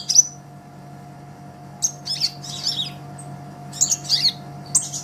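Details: Olive-backed sunbird master recording for songbird training: a piercing high whistle, a gap, then scattered bursts of scratchy, buzzy high twitters, with a faint continuous hum.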